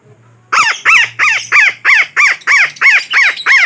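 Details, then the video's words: Parakeet (betet) lure call for trapping: a steady series of ten harsh, raspy squawks, about three per second, each arching up and down, after a brief low hum at the start. "Suara Pemikat Burung Betet yang Sangat Ampuh"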